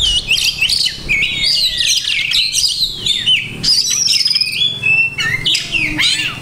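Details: Kacer, or Oriental magpie-robin, delivering a varied masteran-laden song of sharp whistles, quick downslurred and upslurred notes and twittering runs, almost continuous, over a quiet low background hum.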